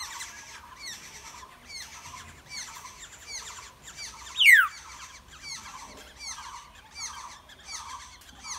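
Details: Wild black-hooded oriole nestlings during feeding: dense, repeated bursts of buzzy, chirping notes in regular pulses, with one loud, quick descending sweep midway.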